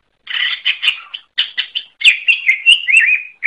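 Greater Green Leafbird giving a rapid, varied chattering song of bright, high notes in quick bursts, some sliding and whistled, with no other sounds.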